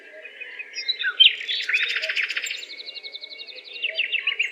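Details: A chorus of birds chirping, quick high twittering notes and a fast rattling trill that swells and fades, many voices overlapping above a faint low background hum.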